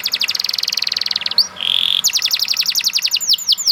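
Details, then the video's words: Canary giving a fast rattling trill, a short whistled slur, a steady buzzy note, then a string of rapid sweeping notes slowing into separate arched whistles, with faint background noise. "The Lazy Canary Sounds Immediately After Hearing the Sound of the Canary This One || Voice of Canary"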